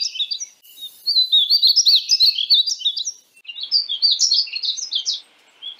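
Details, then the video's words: Painted bunting singing a rapid, tumbling warble of high chirped notes in two phrases separated by a short gap, clean with no other sounds. "belo canto do pássaro estamenha pintada (Passerina ciris)"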